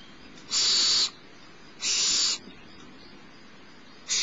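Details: Barn owl nestling fed by its mother, Starr Ranch, 6 March 2011 around 10:30 am: loud hoarse hissing screeches, each about half a second, repeated every one to two seconds.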